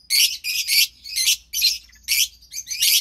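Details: A pair of lovebird chicks, offspring of pastel mauve and white pastel violet parents, recorded March 3rd, 2021, give a near-continuous run of rough, scratchy squawks in quick succession with short gaps.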